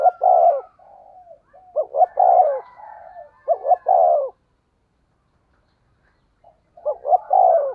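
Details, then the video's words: Low-voiced ('giọng thổ') decoy spotted dove in 'thúc gù' cooing: deep, hollow coo phrases with clipped double notes and a rolling tail, a three-second pause, then the phrase starting again. "cu gáy giọng thổ THÚC GÙ bài bản"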